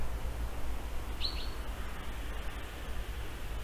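A European honey buzzard gives one brief, high whistled call that rises and then holds steady, over a steady low rumble of wind.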